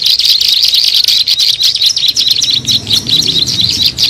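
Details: Bar-winged prinia lure sound: a rapid series of high, sharp chirps about once a second in loose groups, continuous and loud, with a faint low rumble near the end.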